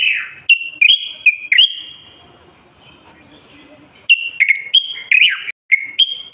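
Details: Common bulbul of the Moroccan type singing nonstop, meant to prompt silent birds and young to sing: bright whistled notes in short bursts, a quiet gap of about two seconds, then more rapid warbled phrases.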